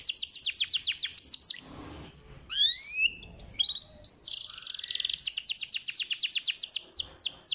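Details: Canary song intended to rouse lazy canaries: a quick falling trill, a short lull, upward-sweeping whistles, then a loud buzzy rolling trill and rapid repeated chirps.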